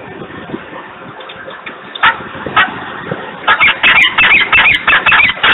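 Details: A screaming peregrine falcon at Włocławek, Poland, 3 December 2020, 10:36; faint background at first, a couple of isolated harsh cries, then a rapid run of loud grating notes near the end.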